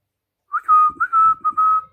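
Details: A talking pet ring-necked parakeet gives a series of clear, level whistled notes. There are about five short phrases at one steady pitch, with brief dips between them, in a quiet indoor setting.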